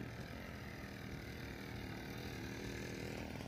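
A steady, droning mechanical noise like a motor or chainsaw fills the recording, with no bird song audible.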